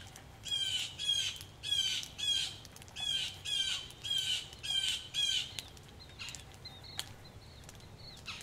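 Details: Agitated blue jays calling loudly in rain at a Missouri farmhouse front porch: a run of eight harsh, buzzy jay screams about twice a second, then quieter scattered notes, with steady dripping from a rain gutter behind.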